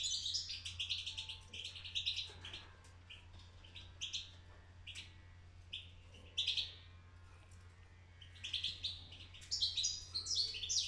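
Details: A young European goldfinch in its first attempts at song, delivering scattered high twittering phrases and sharp chirps, with longer silent stretches between bursts; low steady hum in the background.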